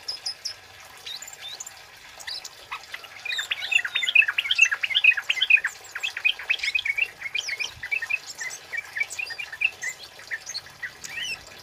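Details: Male flowerpecker singing a loud 'cit keres' style for luring and tutoring birds; a dense run of high, sharp chirps and ticks, about two per second, loudest in the middle, with thin higher squeaks above.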